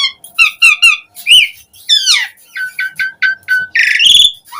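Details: Asian pied starling singing in the gacor full-isian style, a recording meant as a lure for captive starlings: clear whistled notes in short repeated groups, a falling slur, then a bright rising whistle near the end.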